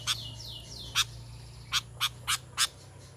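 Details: Sooty-headed bulbul calling other bulbuls: two faint downward-sliding whistles open the sequence, followed by five abrupt, sharp chip notes spaced irregularly, over a constant low background hum.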